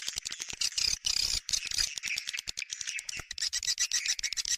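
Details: Chattering swiftlet lure in bintang utara style, which swiftlets are said to like: quick, clicky, high twittering bursts in an uneven rhythm, about four per second.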